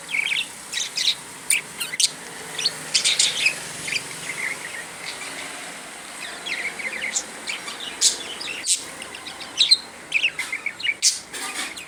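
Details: Pet budgerigar talking in a long stream of soft, buzzy warbles mixed with sharp clicks and high squeaks, steady and busy throughout over a low hiss.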